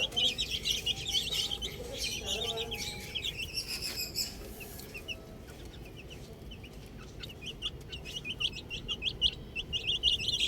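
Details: Several little chicks playing with a ball give a dense run of short, high peeps, many overlapping, with brief quieter spells before the chirping builds up again toward the end.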